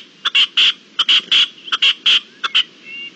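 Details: Red-legged partridge, recorded 25-04-21, giving loud grating chuck notes in clusters of two or three, short rasping bursts separated by brief gaps, with a thin whistle at the close.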